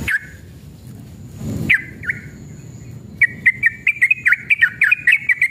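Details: Sooty-headed bulbul, described as a male in full aggressive song with long rapid phrases, used to provoke other bulbuls into singing. Scattered clipped whistles open the clip, then a fast series of short bubbly notes follows, with a low background rumble.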